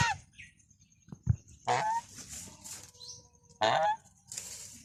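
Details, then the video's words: Goose giving two loud, harsh honks about two seconds apart, each a short nasal blare with a brief rising squeak at its end. Faint thin high calls sound between them over a quiet background. "Funny Goose Sounds"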